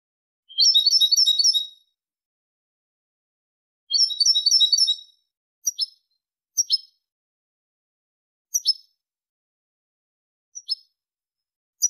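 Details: European goldfinch Malaga song for teaching chicks and hybrids: two rapid rattling trills about a second long, then scattered sharp twittering notes spaced roughly a second apart, with clean silence between.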